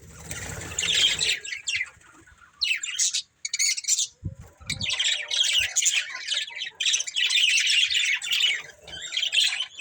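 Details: Breeding pair of budgerigars giving squeaky, grating chirps that build into long runs of rapid warbled chatter after a quieter start.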